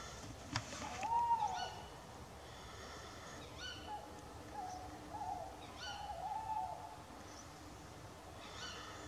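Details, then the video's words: Owls calling back and forth at night near a wild campsite with soft, wavering hoots at a steady mid pitch, in short bouts, over a quiet night background; one owl flies off afterwards. "I don't know if you can hear the owls, but they're going. They're actually chatting away, so have a listen."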